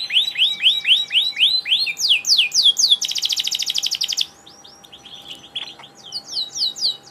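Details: Canary in full, energetic song: a series of looping upswept whistles, then a dense buzzing rattle of quick notes, a brief quieter pause, and more sweeping phrases; a low steady hum underneath.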